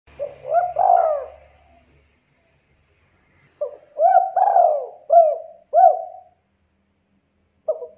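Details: Local spotted dove in full song, used as a lure to get quiet or reluctant doves singing: bursts of mellow, mid-pitched coos, each a short rising-then-falling note, in a phrase of about five linked coos after a pause.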